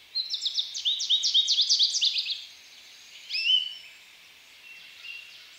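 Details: American goldfinch singing: a rapid run of high, sliding chirped notes for about two seconds, followed by a short rising twitter and a fainter note, over a quiet background.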